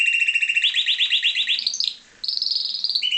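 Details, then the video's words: Song of a pied Timbrado canary bred in captivity: a fast, even pulsing roll that climbs in pitch, then a brief gap and higher metallic trills dropping to a lower rolling tour. "Timbrado canary"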